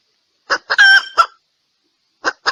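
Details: Female red junglefowl calling males, a decoy recording: two short clucks lead into a long harsh nasal squawk and another cluck, followed by a pause and two more sharp clucks.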